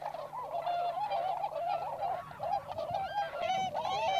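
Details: Wild Tundra swans, American subspecies present, at Inzai in Chiba, Japan; close, loud honks and bugles tumbling over one another, some rising trumpet notes standing out from the steady group clamor.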